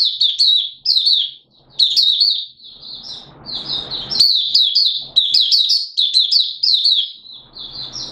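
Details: Malaysian Oriental white-eye kept as a hobby bird, singing buka sing style in Singapore, 29 March 2023, warm and humid with sudden showers: dense, fast, high-pitched chattering phrases with brief pauses and a soft rushing noise midway.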